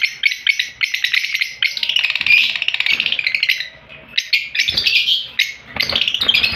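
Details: Opaline lovebirds kept in an aviary chatter loudly: shrill, rapid chirps and squeaky twittering overlap in continuous bursts, with brief pauses.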